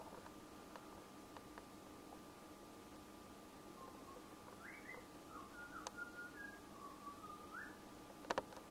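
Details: Butcherbird song: a short series of soft, fluty whistled notes in the second half, some rising, some held level, over a steady electrical hum, with a few sharp clicks near the end.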